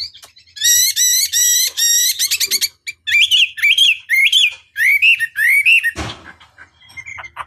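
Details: Chinese hwamei singing in a long master recording for provoking rivals: bright, buzzy harmonic trills followed by looping whistled phrases, broken by a sharp click near the end and quieter chirps after.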